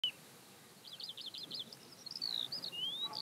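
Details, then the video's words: Eurasian skylark (Alauda arvensis) near Hundred End, Lancashire, on 12 May 2017 sings a high, fast song: a quick run of chirrups, then thin rising and falling whistled slurs, over faint background hiss. "Skylark Sings"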